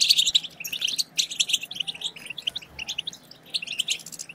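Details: European goldfinch twittering, played to stimulate other goldfinches: dense bursts of high, rapid chirps and buzzy notes with short gaps, chattering steadily throughout.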